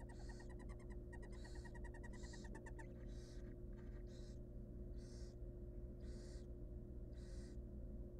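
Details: Hungry wild barn owl nestlings in a monitored nest box beg for food: harsh broadband hissing screeches repeated about every second, preceded by a rapid clicking, ticking burst in the first three seconds, over a steady low hum.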